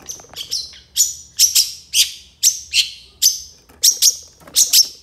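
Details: Long-tailed shrike in energetic song full of 'isian tembakan' fillers, used as a master recording for training songbirds: sharp, harsh, high chattering notes in pairs and short bursts, repeated about twice a second, with no other clear sounds.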